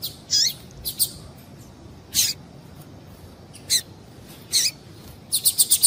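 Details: Female double-collared seedeater calls, used to get males singing: scattered high, sharp chirps, some with falling slurs, at uneven spacing, ending in a quick burst of five rapid high notes.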